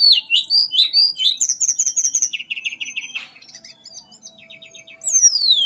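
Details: Melodious fluting song from a mangrove blue flycatcher, tledekan bakau: quick slurred whistles, a fast repeated high trill, a lower rapid run, then a soft pause and a long descending whistle.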